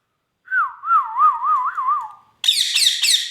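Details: Male Indian ringneck parakeet gives a long, wobbling whistle that rises and falls about five times. It breaks into three rapid, harsh, raspy squawks.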